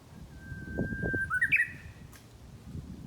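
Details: Nearby Japanese bush warbler on a rural mountain path in spring gives its full song: a long, level whistled note sliding into an abrupt, bright, rising and falling flourish, with soft low thuds in the background.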